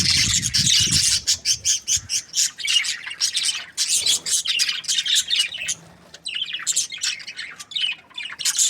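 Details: Breeding pairs of budgerigars, happy, producing continuous loud chirping chatter: rapid, pulsing high notes and squeaky warbles running almost without break, with brief low thumps near the start.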